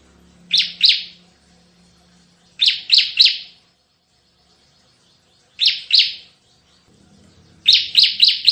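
Bar-winged prinia giving loud, harsh chipping bursts of two to four quick notes, each burst repeated about every two to three seconds; faint low hum behind.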